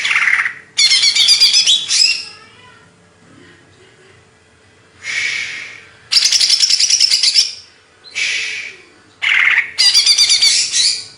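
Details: Hyper-form greater green leafbird from Banyuwangi: intense scratchy, buzzy bursts laced with fast whistled trills, each lasting one to two seconds, with quieter pauses between.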